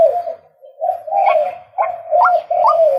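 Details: Drawn-out, lower calls from a male white-breasted waterhen: a few longer, level croaks, each finishing with a short upward flick, in slow sequence separated by brief gaps.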